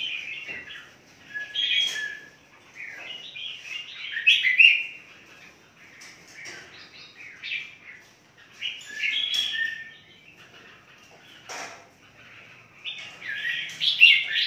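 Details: Captive red-whiskered bulbuls in a large breeding aviary in Phetchaburi province: bursts of bright, warbled chirping phrases about every two seconds, each a quick jumble of liquid notes separated by short pauses, with faint background rustling.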